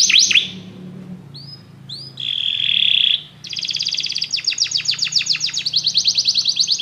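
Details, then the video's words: Many canaries join in after music plays: an opening burst, scattered upslurred whistles, a bright steady roll, then long fast buzzy trills repeated rapidly to the end. "muitos canários cantam junto depois de ouvir essa música"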